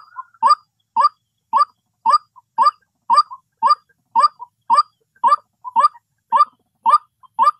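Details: Steady series of clipped, rising croaks from a white-breasted waterhen, thirteen notes in under eight seconds at a regular pace of about two per second, with nothing else audible.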